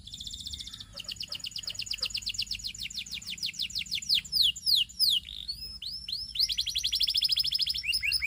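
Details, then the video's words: Canary song flowing through several phrases: a steady rolling trill, a few looping high slurs, then another fast trill of repeated notes. "Υour Canary Will Sing UNSTOPPABLY"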